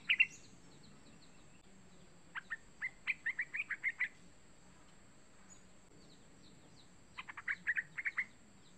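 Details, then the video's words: Call of a young yellow-vented bulbul, used to lure other bulbuls into calling: two separate bursts of quick, bright, evenly pitched chirps, each with six to eight notes, against a quiet background. "Suara Panggilan burung trucukan muda ampuh untuk memancing trucukan agar bunyi"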